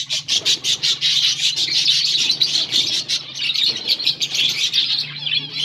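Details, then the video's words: A group of finches eating green food, August 17, 2024; rapid, steady high chirps repeated in quick bursts, many birds overlapping in a constant chatter. "finches eating green food birds chirping sounds"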